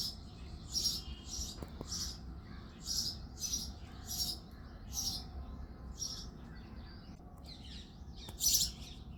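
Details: Singing male house sparrow at dawn in February: a steady series of harsh, buzzy chirps roughly every half second, with a few faint clicks and a low steady hum behind.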